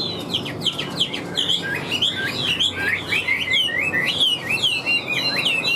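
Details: Caged wild-caught Chinese hwamei in strong song: a rapid run of loud, looping whistled notes, each swooping up and down, delivered about ninety per minute in varied rolling phrases.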